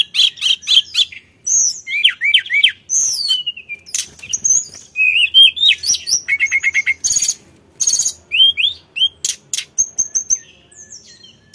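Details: Sulingan mountain bird singing energetically: sharp high chirps, curling whistles, a run of evenly repeated notes and a dense buzzy burst, with barely any pause between phrases.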